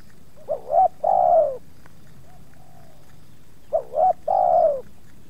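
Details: Spotted dove with two wild doves nearing in a yard, a little resistance from the second; two matching phrases of clipped rising coos ending in a longer downslurred coo, with a soft distant coo between.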